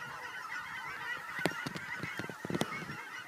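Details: A flock of geese returning home to Fern Ridge in March 2012 gives steady overlapping nasal honking. Several sharp percussive taps punctuate the middle of the short stretch.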